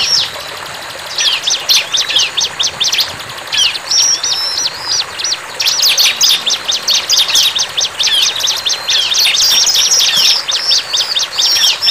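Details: Bar-winged prinia in energetic song, pouring out rapid high chirps and short sweeping notes in tight bursts, with brief pauses after the first second and near six seconds, and occasional level whistles over soft hiss.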